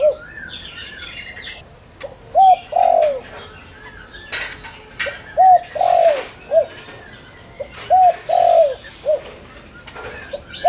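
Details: Spotted dove used as a decoy bird to call in wild doves: three low, mellow coo phrases, each a short note, a longer drawn-out coo and a short closing note, spaced about three seconds apart, with faint chirps of small birds behind.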